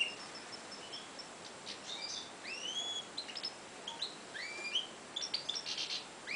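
A goldfinch-canary hybrid sings a quick twittering song of sharp chirps, slurred rising whistles and brief buzzy trills, soft and high over a faint background hiss.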